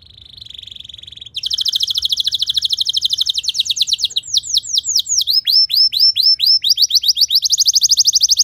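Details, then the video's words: Canary song used to train other canaries to sing long phrases: a steady high buzzy trill, then fast repeated chip notes, sweeping downslurred whistles and rapid rolling trills, all bright and high-pitched. "Putar 10 Detik Saja Kenari Lain Bisa Ngeplong Anti Ngeriwik Gacor Nembak Panjang"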